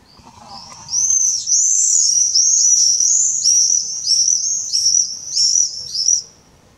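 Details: Common swift calling under a roof gutter on Drostlaan, 31 May 2020: a shrill, buzzy, very high screaming trill in rapid pulsing bursts, sustained for about five seconds, with a quiet background.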